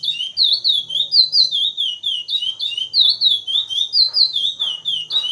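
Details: Captive chestnut-bellied seed finch singing in the Praia Grande classic style of Brazil, a rhythmic series of clear whistles, each sliding down then up, pulsing roughly every third of a second, with slight background hum.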